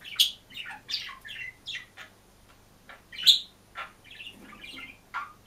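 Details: Lone caged budgerigar singing and chirping, delivering scratchy chirps and bright squeaks in uneven bursts, a brief pause midway, then more chattering notes.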